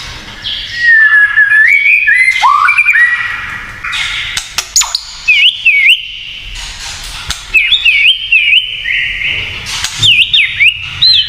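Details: Kretekan song from a white-rumped shama, said to provoke other shamas: wavering whistles and a swooping slur, then quick zigzag whistled trills repeated in short bursts with crackling noise.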